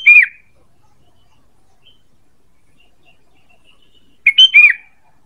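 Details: ['Sooty-headed bulbul luring call: two clear whistled phrases about four seconds apart. Each phrase is a few rapid notes that end in a falling slur, with silence between.']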